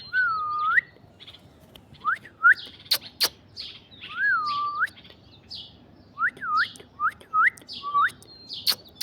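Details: Alexandrine parakeet on an orange tree giving loud, clear whistled notes that dip and swoop upward, some long and slurred, others short and quick, mixed with higher thin chirps and a few sharp clicks.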